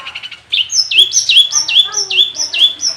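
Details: Long-tailed shrike in full song with mimicked phrases: after a few soft notes, a steady series of loud, clear whistles, each high note sliding down to a lower one, repeated roughly every half second.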